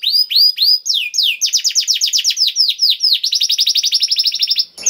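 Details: Energetic canary song in the cengkok istimewa style, played to get other canaries singing: a few slurred whistles, then long rapid trills of about four notes a second, with a click at the end.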